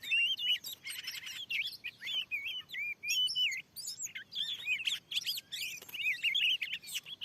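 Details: Fierce wild Oriental magpie-robin answering a lure where the land was newly cleared. Sustained lively song of warbled whistles and twisting slurred notes in tight sequences, with a steady low background rustle.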